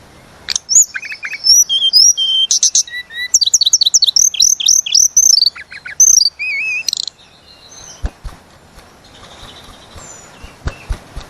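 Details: Sunda robin (tledekan gunung) singing energetically in long rolls, a lure recording for training songbirds: fast varied whistled notes, sweeping trills and buzzy chirps packed together for about six seconds, then softer scattered chirps and clicks.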